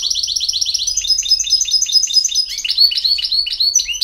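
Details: Campero-style song of a European goldfinch, a fast steady series of sweet chirped notes sliding into tumbling, twittering phrases with high liquid accents.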